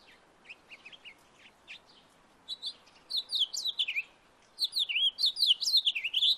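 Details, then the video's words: House finch song in a backyard, starting with soft scattered chirps and building into two bursts of rapid, wavering, slurred warbling notes. "House finch singing sound in my backyard"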